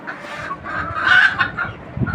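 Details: Desi chickens on a farm keeping twenty-nine free-range hens for eggs; a flock's dense, overlapping clucks and squawks with a sharper call near the middle.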